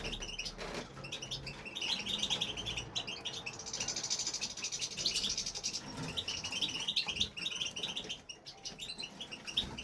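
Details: Male European goldfinch in an aviary, singing continuously; a dense, rapid stream of bright liquid twitters, trills and buzzy high notes runs almost unbroken, with a brief rustle near the start.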